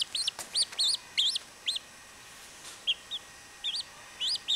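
Chachalaca chicks give thin, high peeps that rise and fall, in quick bursts of two or three with short pauses, over a quiet background.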